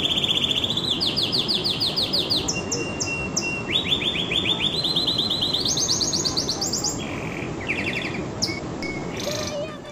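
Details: A canary delivers a long varied song: trilled rolls step upward through several pitch levels, broken by a sustained whistle, then faster chattering phrases and a few sparse notes near the end. Background hiss throughout.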